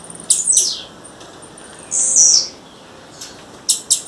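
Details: Female blue-black grassquit calling in the wild: two quick sharp buzzy chips, a sustained high hissing buzz, then a final pair of short chips.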